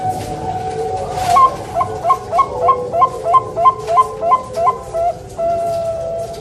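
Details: Bangkok-type zebra doves at a bird farm in Surabaya, East Java, Indonesia. One bird gives a rhythmic run of about eleven short, bubbling coo notes, roughly three a second. A dense background of many other doves coos continuously.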